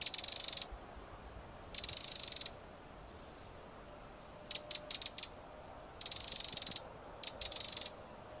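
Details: Eurasian wren producing dry, scratchy rattles, some long and steady, others broken into quick staccato ticks, in an irregular sequence.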